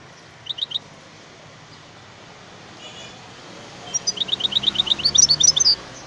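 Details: European goldfinch singing: a brief burst of three high tinkling notes, then after a quiet pause a longer run of quick twittering, liquid notes rising toward the end, over a steady low background hum.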